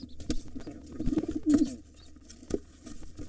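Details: Wild pigeons fighting at an occupied nest, a gray intruder trying to take over from a pair with two nestlings while the white father drives it off: low, moaning coos in a short burst amid sharp knocks and scuffling over a steady low hum.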